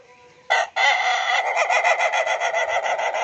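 A laughing chicken crows: a loud harsh opening note, then a rapid stuttering run of pulsed syllables, like chuckling laughter, about three per second.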